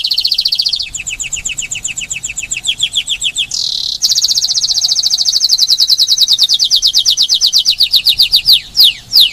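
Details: Spanish timbrado canary, a pet kept at Paradisi on Rhodes island, Greece, singing loud, fast rolling trills of rapidly repeated notes that shift pitch from phrase to phrase and run almost unbroken, with a brief pause midway.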